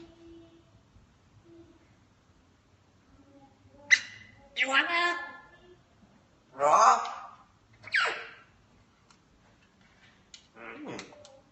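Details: African grey parrot talking indoors, producing a series of short spoken-sounding bursts with broad, harmonic-rich tones, separated by pauses in a quiet room, with a person's greetings nearby.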